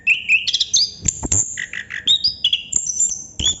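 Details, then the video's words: Chestnut-capped thrush singing non-stop in 'ngerol' style, stringing together clear high whistles, short warbles and a few dry clicks in quick succession. "Burung Anis kembang / Plontang Ngerol Non stop durasi panjang"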